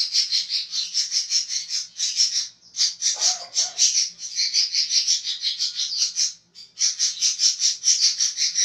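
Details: Budgerigar in a training recording of harsh, rough chattering (ngekek kasar): dense, continuous scratchy warbles and squeaks run almost without pause, with two brief gaps and a lower throaty note near the third second.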